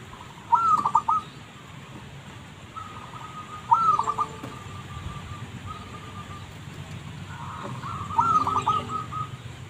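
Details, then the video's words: Zebra dove song used as a lure recording: three short bursts of low, rolling, trilled cooing, each about half a second, spaced roughly three seconds apart over a steady background hiss. "Pikat Merbuk/Perkutut"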